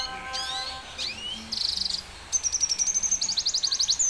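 Red siskin singing a high twittering song of sweeping notes and a buzzy phrase, ending in a fast run of sharp repeated chips, about four a second.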